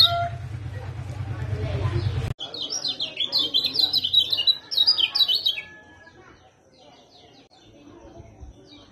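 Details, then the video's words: Lemon-bellied white-eye song used to provoke a silent bird into singing: a fast, bright warbling run of high twittering notes for about three seconds after a burst of low hum, then quieter faint chirps. "PANCINGAN KECIAL KUNING MACET JADI GACOR BERKICAU | SUARA KECIAL KUNING JOSS"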